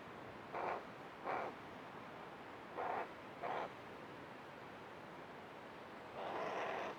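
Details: A tame hooded crow hanging around its bird bath gives four short, harsh caws in two pairs, then a longer drawn-out caw after a pause, over a quiet background hiss.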